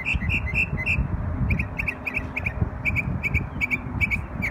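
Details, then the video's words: Memorial Day song from a bird in New York: a steady stream of short, paired whistled notes, repeated rapidly at similar pitch, with faint traffic-like rumble below. "NY Bird Sings Beautiful Songs on Memorial Day"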